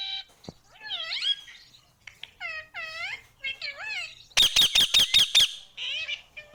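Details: Indian ringneck parrot kept as a pet in India, talking and said to say mummy papa: several quick, rising speech-like syllables, followed by a rapid series of five piercing screeches and a final short mimicked phrase.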